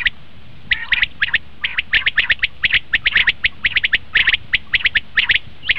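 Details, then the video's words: Common quail call, used as a lure in quail hunting: sharp, bright notes in quick clusters of two or three, repeated unevenly about once a second, with several birds overlapping and no other clear sounds. "batair ki awaz"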